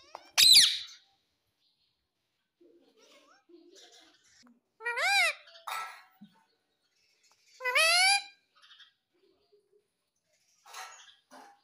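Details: Pet ringneck parrot indoors uttering three loud harsh arched screeches spaced a few seconds apart, with a sharp click at the start and faint soft sounds between calls.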